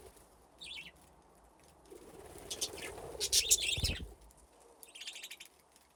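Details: Budgerigars in an aviary with nesting boxes chirp in quick high bursts, mixed with wing flutters and rustling as the birds move about.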